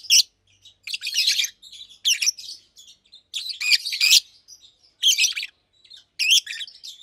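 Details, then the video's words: Daytime chirping from two caged adult Fischer's lovebirds, nearly two years old, one blue and one pastel green: sharp, scratchy high notes in short bursts about every second, with brief silences between. "Lovebirds Chirping, Lovebirds Singing - Two Agapornis Fischeri"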